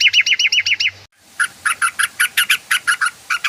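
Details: Yellow-vented bulbul (trucukan) lure sound meant to make the bird sing: a quick burst of looping chirps, a short break, then a string of sharp, evenly spaced harsh notes repeated about three times a second.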